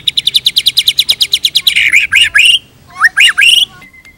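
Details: Loud shama trigger song for tutoring captive birds: a rapid, even series of about fifteen sharp notes, then harsh rising squawky phrases, a silence, and three more strident upswept calls.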